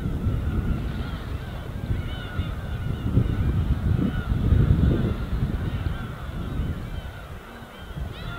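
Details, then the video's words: A chorus of arched, slightly nasal gull cries rises and falls over the calm winter East Sea, accompanied by rolling wave noise. "갈매기와 잔잔한 파도소리"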